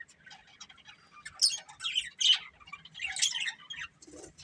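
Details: Budgerigar breeding pair chirping softly: scattered scratchy chatter with a few louder sharp whistled squeaks and a squawky burst, quieter gaps between, ending with a short low creak.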